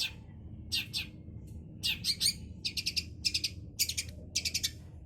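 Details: Young Long-tailed Shrike practising, learning the kunti style: bursts of high, buzzy chattering notes in short clusters of three to five, each cluster about half a second apart, over a low steady background hum.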